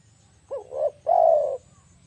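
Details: Spotted dove lure call, a single phrase: quick rising-falling coo, short pause, then a long level coo, over a noticeable low droning hum.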